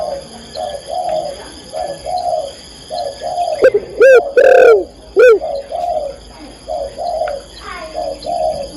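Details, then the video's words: Spotted dove, a female calling the male, gives steady low paired coos in a repeating rhythm, broken midway by several loud, sharp, squeaky rising notes before the cooing resumes, with a faint constant whine behind. "tekukur/derkuku betina memanggil jantan"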